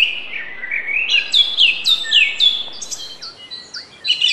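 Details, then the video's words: Black drongo singing: a run of varied sharp whistled notes and metallic chirps, many sliding upward or downward, delivered rapidly at about four per second with uneven spacing, fading briefly toward the end before resuming. "black drongo bird sounds"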